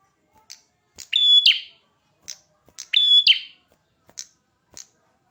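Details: Prinia with a red head singing vigorously. Two loud phrases of buzz, flat high whistle and rasp, separated by soft scattered ticks and clicks.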